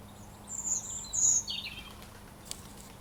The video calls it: Robin 🍑 brids sound effect